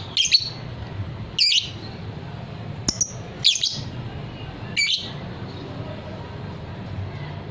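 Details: Kept fighter lovebird of the ngekek-singing type gives five short, harsh, high chirps spaced one to one and a half seconds apart, with long quiet gaps and low background hum.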